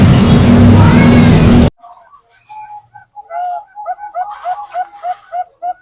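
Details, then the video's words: Zebra dove of the Bangkok type, used as a lure for other doves. A burst of loud rushing noise stops abruptly, then a quick, accelerating run of short tonal coos follows, growing louder and more regular toward the end. "Perkutut Bangkok gacor | perkutut lokal| pancingan perkutut"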